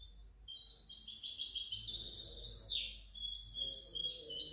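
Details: Hybrid European goldfinch from 2019–2020 singing a fast, high-pitched, twittering phrase of stacked chirps and trills, with one sharp falling sweep partway through before the rapid warble continues.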